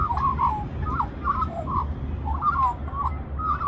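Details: At Middleton Grange, New South Wales, a magpie begs for mango with a string of short, mellow warbled notes roughly every half second, set against fairly loud low-pitched background noise.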